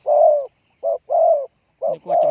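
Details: Spotted dove used as a lure for wild doves, giving deep, smooth coos: a long note, a short one, then another long note. Near the end a lower, rougher overlapping sound joins the final coos.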